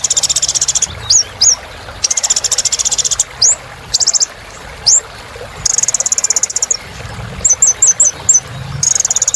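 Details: Little spiderhunter, locally kolibri ninja, in strong song meant to restart silent birds: extended buzzy trill bursts alternating with pairs of upslurred whistles and a run of five quick short notes.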